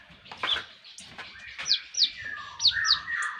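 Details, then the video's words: Konin song used as a training recording for Indonesian songbird keepers: short sharp whistled notes sweeping down from high pitch, mixed with warbled phrases, a few notes per second. "Konin mewah masteran wajib kicau mania"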